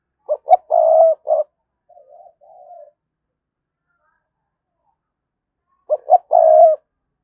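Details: A spotted dove kept as a lure coos to provoke wild birds. Two clipped notes and a long coo are followed by a soft, faint trailing phrase, a long silence, then the same loud pattern again.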